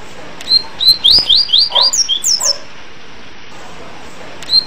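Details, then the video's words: Yellow-bellied seedeater gives a quick run of about ten clear, high whistled slurs, rising then falling, over two seconds, then one more whistle after a pause. "Canto De Coleiro Tui Tui Apito - Coleiro Baiano"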